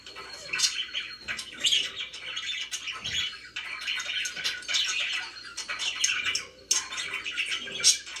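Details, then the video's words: Pet budgies indoors keep up a busy, scratchy chatter, a steady stream of fast warbled chirps and short squawks with brief gaps, one sharp click-like note near the end. "FRIDAY IS RELAXING DAY #chirpingbirds #budgie"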